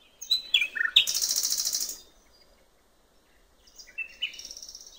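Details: Common nightingale singing by a river in natural surroundings, giving a few whistled notes followed by a rapid, rattling trill of repeated notes, then a pause and softer whistled phrases.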